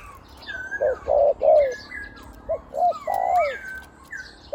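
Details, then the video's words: Big-voiced spotted dove decoy bird gives quick low coos and drawn downslurred coos, partly overlapped by clear whistled calls and chirps of other birds nearby. "นกต่อVIP 1กุกเสียงใหญ่คูอ่างเกือบตลอด"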